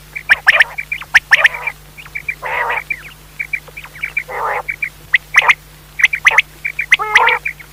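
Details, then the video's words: Pakistani quail calling, a recording used for night hunting: sharp, clipped high notes repeated in irregular bursts, mixed with short chirps and several nasal, buzzy lower notes, over a steady low hum. "Batair ki awaz raat k shikar kalea awaz"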